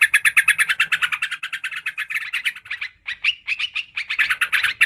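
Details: Yellow-vented bulbul (trucukan, karuang) lure recording, meant to attract birds: fast, harsh chattering notes in dense bursts, roughly three per second, bright and mid-to-high pitched, with a short break near the three-second mark before resuming.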